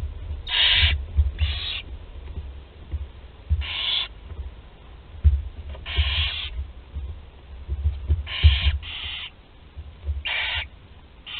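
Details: Barn owl chicks, one aged 13 days and able to swallow prey whole, at Théding, France, 20 July 2020; a series of short rasping hisses, often in pairs, scattered irregularly over low thumping nest noise.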